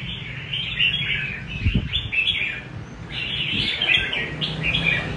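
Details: Red-whiskered bulbul in 'rê cầu' song style: lively whistled and warbled phrases in two bursts, with a brief dull thump between them and a low hum throughout.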